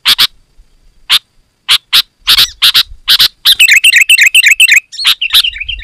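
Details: Sooty-headed bulbul, loud and dense song used to lure wild bulbuls: scattered harsh broadband chips, then a fast run of bubbly, warbled notes repeated about four per second, ending in more sharp chips.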